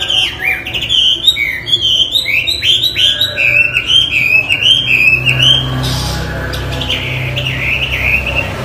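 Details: Energetic Chinese hwamei song for training other birds: a lively stream of bright, quickly slurred whistles and rolling phrases that softens after about six seconds, with faint low background hum.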